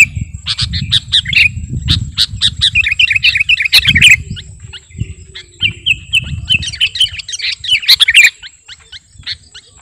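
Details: Sooty-headed bulbul (kutilang garuda) in rapid song, used to lure birds and as a master recording. Fast ticking chirps build into twittering runs of short whistles, then tail off, over a low rumbling background.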